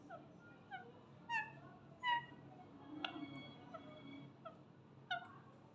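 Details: Pet parrot in Mirpur, Azad Kashmir, talking with another parrot: short, squawky, voice-like syllables about once a second, some with rising or falling tones, over a steady low hum.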